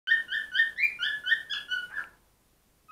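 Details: Pet cockatiel singing: a quick run of about eight clear whistled notes in two seconds, mostly level with one brief upward step, closing on a falling note, then near silence.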